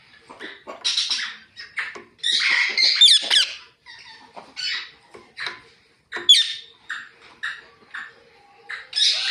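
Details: Natural chirping of a ringneck talking parrot: loud, shrill squeaky bursts and rasping chatter in irregular clusters, some notes sliding up and down, separated by brief pauses, in a quiet room.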